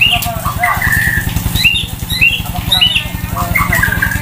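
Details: White-rumped shama singing loudly while sunbathing beside a main road, its song rich in varied sounds: short high whistled notes and slurred phrases, some rising, scattered over a steady low throbbing hum.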